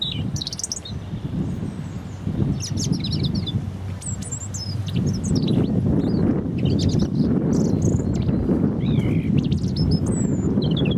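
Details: European robin singing in Hope Park, Keswick, Cumbria: thin, high, varied warbled and trilled phrases with short pauses between them, over a steady low rumble of background noise.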